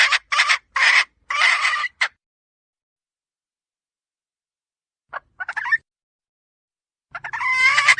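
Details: Female red junglefowl, recorded as a decoy sound for luring: five harsh, noisy clucks in a quick burst, then silence, one short rising squawk, and a louder ragged call at the end.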